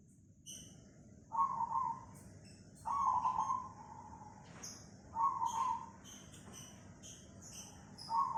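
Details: Perkutut cemani (zebra dove) recorded in Tangerang, Banten, Indonesia, on 24 August 2020. It gives soft mellow cooing phrases about every two seconds, each a short rolling burst, with faint thin high whistles in the background.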